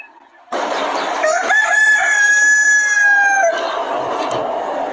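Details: A rooster recorded on a chicken farm gives a single long crow lasting about three seconds. The tone is held steady and harmonic and rises slightly before breaking off, with a steady hiss of background noise.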